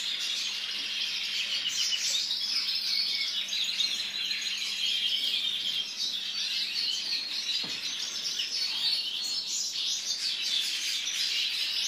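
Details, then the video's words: White goldfinch with a long run of fast, jumbled, high twittering song, chattering and tinkling notes mixed with brief clear tones, a faint hum and one soft click in the background. "طائر الحسون الابيض - chardonneret blanc"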